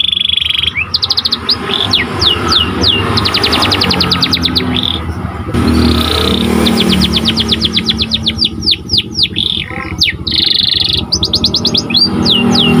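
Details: Panda canary song used to train other canaries: bursts of quick repeated notes and sweeping whistles, alternating with pauses, over persistent low traffic-like rumble.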